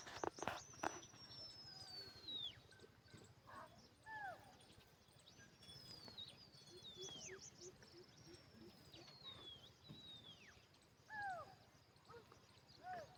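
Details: Parrot giving clear whistled notes that sweep downward from high to mid pitch, each lasting one to two seconds and repeated several times, with short lower double notes between them over a faint rural background.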